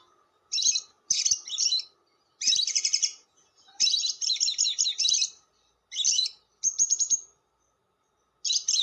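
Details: Lovebird giving long chatter (ngekek panjang) for luring lovebirds: harsh, buzzy, high-pitched chattering bursts of about half a second to a second, separated by short silences, with faint clicks in the background.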